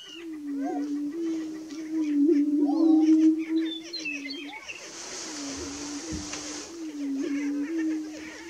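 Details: Prairie chickens recorded on 30 March 2018, a bit before dawn: a steady low hooting drone runs throughout, with higher chattering calls over it and a brief burst of noise midway.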